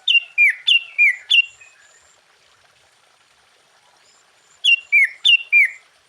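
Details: Sooty-headed bulbul in 'gacor' song used as a lure to provoke other bulbuls: a rapid run of four clear falling whistles, a long silence, then four more in quick rhythm.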